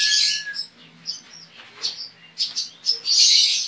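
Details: Online contest entry: a Javan white-eye from Pontianak, West Kalimantan, misted and sunned each morning; loud high chatter opens, scattered thin chirps follow, and a rich, dense twitter closes.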